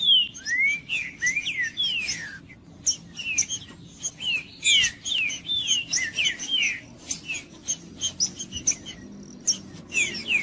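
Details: Green-winged saltator, kept for song tournaments, singing to warm up a cold bird: loud whistled phrases of slurred notes sliding down and up, repeated in quick succession, with sharp high chips between and a faint low hum beneath.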